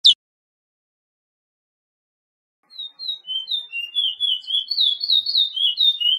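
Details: Pijé-Pijé training song of the chestnut-bellied seed-finch: a single sharp click, a long silence, then whistled notes starting soft and spaced before quickening into a dense, loud, rolling warble.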